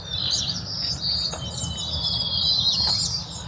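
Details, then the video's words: Many birds, mostly mynas with various others, calling at first light of dawn among trees where they may be nesting; high chattering and whistled notes overlap continuously, with a low rumble of background noise beneath. "আর এখানে দেখি প্রচুর পরিমাণে শালিক এবং নানা রকম পাখির ডাক।"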